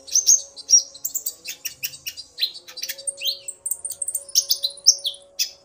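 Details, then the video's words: Excited male Common iora responding to a female's call in a back-and-forth duet: fast, varied twittering of high chirps mixed with slurred whistles, steady and lively throughout. "Burung Konin Pancingan EMOSI agar burung bahan gacor"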